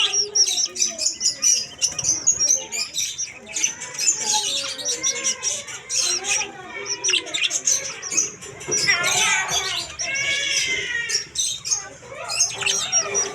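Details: Budgerigars in an aviary chatter together, a busy mix of bright warbles, squeaks and rising chirps.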